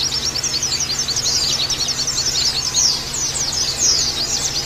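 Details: Oriental white-eye tutor audio for training caged birds: bright, very high chatter of rapid chirps and brief trills, steady and continuous, a constant low hum in the background.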